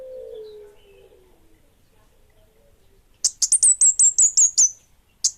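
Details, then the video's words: Orange-headed thrush of the bunga api type singing actively: a quick series of about nine high, sharp, slurred whistled notes lasting over a second, preceded by a low drawn-out cooing from another bird. "Suara Burung Kemade Bunga Api Gacor!!!"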